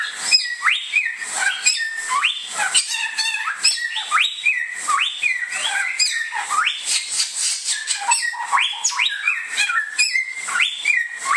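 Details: Rich, continuous whistled song of the Bare-throated whistler, known in Indonesia as samyong. Rapid upward-snapping notes alternate with flat held whistles and brief chatter, sustained across the stretch with a faint high background hiss.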